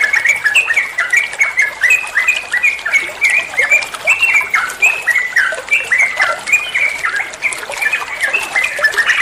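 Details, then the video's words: Yellow-vented bulbul, locally called trucuan, in a training recording that other birds are said to answer: continuous chatter of short downslurred whistles, repeated about twice a second in rolling phrases, steady and loud throughout. "Masteran trucuan muantaaap, (burung trucuan anda pasti nyaut)"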